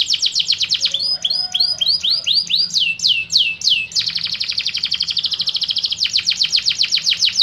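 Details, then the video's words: Canary training song with water sounds, mixing quick chirps, curving swept whistles and a long buzzy rolling trill, all high and rapid, with varied phrases changing every second or two. "MASTERAN KENARI, KAPAS TEMBAK JEDA SUARA AIR"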